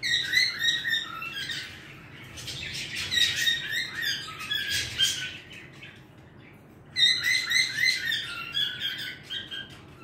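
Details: Two bouts of lively warbling from a pet bird, chattering whistles and scratchy notes repeated rapidly, separated by a quieter gap of about two seconds before the second burst begins.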